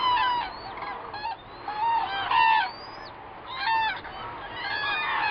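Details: Common cranes at Gallocanta, recorded from a hide on 2 February, trumpet in loud, rolling, bugling calls, several birds overlapping in bursts every second or two, with a steady background hiss.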